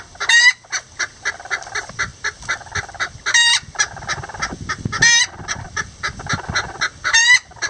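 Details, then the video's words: Lavender Bantam roosters helping a hen build a nest: a continuous patter of clucks punctuated by four strident, rising, ringing squawks spread through the clip. "Chicken Sounds Lavender Bantam"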